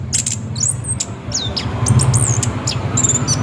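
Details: Orange-headed thrush 'ngeroll' song played as a lure to prompt singing: thin high whistles, slurred notes and quick chirps, partly masked by a loud low droning hum.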